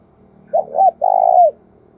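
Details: Decoy spotted dove used to lure wild doves, giving a low cooing phrase: a short double note followed by a longer, steady, slightly pulsing coo that drops at the end. Otherwise quiet.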